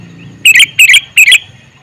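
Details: Male sooty-headed bulbul calling: three loud, rapid two-part chirpy phrases repeated about every third of a second, clear and bright against a quiet background.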